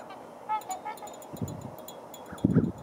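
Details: Trumpeter swans on a crowded water hole give a few brief, nasal, horn-like honks in quick succession, followed by low rumbling splashes and bumps.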